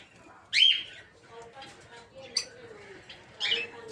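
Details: Peach-faced lovebirds in a breeding aviary utter three separate shrill, upward-flicking squeaks about one and a half seconds apart, over a soft low hum of background chatter.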